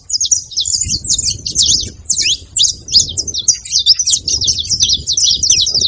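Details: Saffron finch, known as canário-da-terra, noisy and vocal: rapid high chirps and squeaky notes in clustered bursts with short gaps, over a low background rumble.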